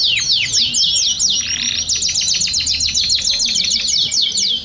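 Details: Group of domestic canaries singing, used as a singing stimulus; bright fast downward-slurred notes repeated in quick series over a bed of continuous high trilling.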